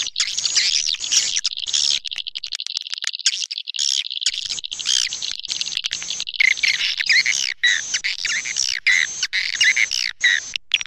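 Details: Suara tarik swiftlet lure sound: a busy chorus of high chirps and buzzy trills, rhythmic clicking pulses throughout, and louder wavering calls in the second half.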